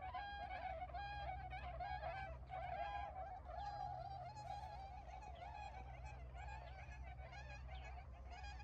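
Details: Tundra swans just arrived for winter in paddy fields near Ochigata, Hakui, Japan, early November 2022, flying around; continuous layered honking and bugling notes from many birds over a low droning wind rumble.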